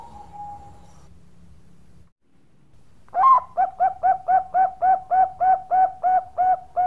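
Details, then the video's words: Zebra dove, Bangkok type, opens with a faint level coo, pauses, then bursts into an evenly spaced series of about fourteen bright, bouncing coo notes at a brisk steady pace. "Perkutut Bangkok Gacor Suara Istimewa"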